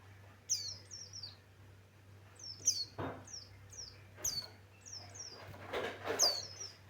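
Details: Javan white-eye male, Buxtoni form, delivering high sweet whistled notes that slide down, grouped in short runs, with a couple of loud clunks and a steady low hum in the background.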